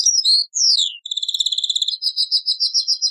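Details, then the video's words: Taqsrayn-style song of a European goldfinch taken from an old cassette: two sweeping whistled slurs, a rapid buzzy trill, then a series of separate high chattering notes repeated several times a second. "تغريد تقصراين من كاسيت قديم"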